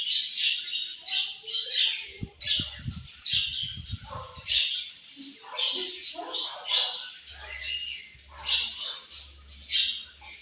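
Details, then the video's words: Morning feeding time for a budgerigar colony: quick high chirps and twitters come in bursts, with lower clattering knocks between the second and fifth seconds. "Budgies Morning Food And Chirping Sounds"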